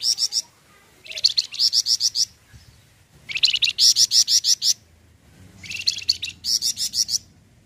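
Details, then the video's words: A Flamboyan bird sings bright, high chirping phrases, each a quick run of about eight sharp repeated notes lasting over a second, separated by short pauses; the recording is meant as a lure to prompt Flamboyan birds to sing. "Burung Flamboyan Full Brenn untuk Pancingan bunyi flamboyan"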